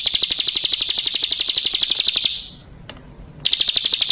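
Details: Female Bar-winged prinia calling for a male as a lure: a high, rattling trill of quick regular pulses for about two seconds, a brief silence with one faint click, then the trill resumes.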